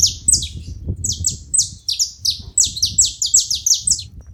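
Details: Group of saffron finches singing together: bright, high downward-sweeping chirp notes tumbling over one another in quick, uneven bursts, over a steady low background hum.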